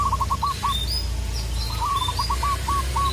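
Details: Local zebra dove calling a rival: two short runs of soft hooked coos over a loud low rumbling background. Thin high whistles from other birds are also heard.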